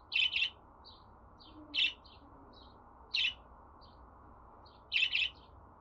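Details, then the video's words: Budgerigar chirping in pairs and singles with faint, thinner chirps between the louder ones. The notes are spaced more than a second apart. "Muhabbet Kuşu Sesi"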